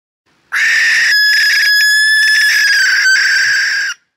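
A Barn Owl gives one long, harsh, hissing shriek lasting over three seconds, rasping and steady in pitch before cutting off abruptly.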